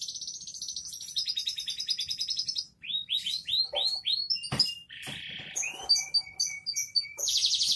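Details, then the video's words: Canary singing in vigorous gacor dor style: fast high trills, then a row of quick downslurred whistled notes, a sharp click, a buzzy rasping burst and rapid ringing repeated notes, with an occasional lovebird note slipped in. "SUARA BURUNG KENARI GACOR DORR"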